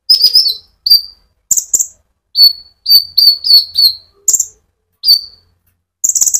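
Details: Konin sunbird singing energetically to provoke other sunbirds: high whistled downslurred notes repeated in quick groups, punctuated by short buzzy trills, in quiet surroundings.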